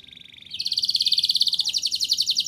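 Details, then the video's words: Canary song meant to coax young canaries into singing: a soft low trill switches abruptly into a loud, very fast, even high rolling trill that continues to the end. "Suara Burung Kenari Gacor Ngerol Nembak! Ampuh Untuk Pancingan Kenari Paud Biar Bunyi"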